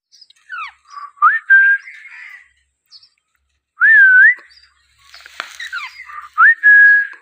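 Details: Young Alexandrine parakeet chirping: clear, rising whistled chirps in short bursts, some sliding up then leveling off, mixed with softer raspy notes.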